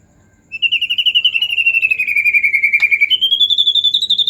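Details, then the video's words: Excited white-rumped shama delivering a long, fast, high trill of evenly spaced pulses, falling slightly then jumping higher near the end; intended to spur quiet shamas into song. "pancingan murai batu emosi"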